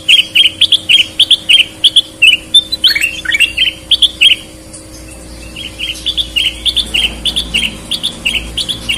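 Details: Lively sooty-headed bulbul song, from red-eyed and white-eyed birds: rapid bright whistled chirps repeated about three times a second, a brief pause midway, then the chirping resumes over a low steady hum.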